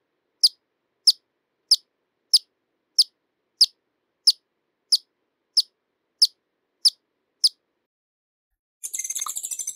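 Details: Hummingbird giving sharp, very high chip notes at a steady pace of about one every two-thirds of a second, twelve in a row, followed by a brief buzzy high chatter.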